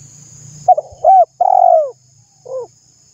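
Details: Spotted dove coo phrase, used to stimulate other doves to call: brief stuttered notes, a rising-falling hooked coo, a long drawn-out descending coo, then a short final note, over faint low hum.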